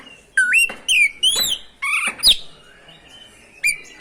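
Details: Rolling ngerol song of an oriental magpie-robin, played to provoke rival magpie-robins: a few loud, sweet whistles with sharp upward and downward slurs, each about a third of a second long, then a short quiet gap.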